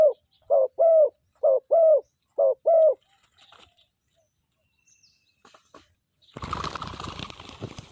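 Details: Captive wild-caught spotted dove used as a decoy bird in the morning, singing a middle-pitched song that ends low: five paired mellow coos in three seconds, then quiet with faint ticks, then a loud rustling noise burst.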